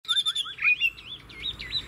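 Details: Caged Chinese hwamei from Tuyên Quang, Vietnam, praised for a wild-type voice: a quick run of loud, clear warbled whistles, looping up and down, with short pauses between phrases.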